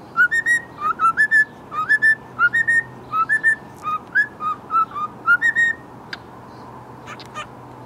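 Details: Several captive cockatiels (Nymphicus hollandicus) in an aviary whistle and chirp bright, rising notes in short, quick phrases, one after another.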